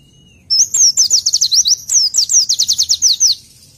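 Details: Oriental white-eye training song: two lively phrases of rapid, high-pitched whistled notes, each note a quick downward slur, the runs repeated about a dozen times per phrase with a brief break between.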